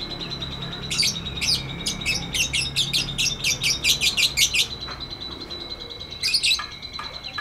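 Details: Lovebird in a long 'ngekek' song meant to coax silent lovebirds: a fast rattling run of harsh clicking chirps about three per second, then a pause and a final burst, with a steady whine.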